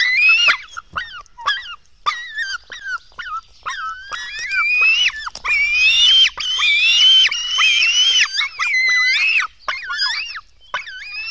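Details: Nestling black storks at a Latvian nest during feeding, 04:53 on 24 June 2016: a busy run of short, bending squeals and clicks that swells into a longer, shrill, wavering chorus before breaking up again.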